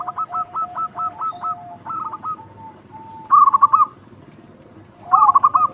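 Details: Loud local zebra dove used to draw out other doves: a rapid sequence of staccato cooing notes, a few soft drawn notes, then two bubbling trilled bursts about two seconds apart.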